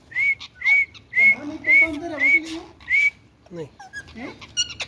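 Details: Indian ringneck parakeet talking: a run of clear, slightly rising whistled notes repeated about twice a second, some with a low murmuring voice underneath, then short buzzy speech-like syllables with sweeping tones.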